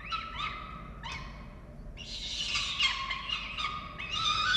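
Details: Falcons feeding chicks at a nest in Orange, Australia, 13 November 2022. Short, rapid chipping notes lead into a longer run of loud, rasping, harmonic wails.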